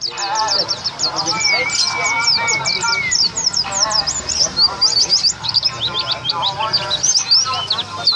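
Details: White-eye, a triple-winner contest bird recorded before competing; an unbroken, rapid stream of high, squeaky chirps and trills for the whole stretch, with a long steady whistle and murmured voices in the background.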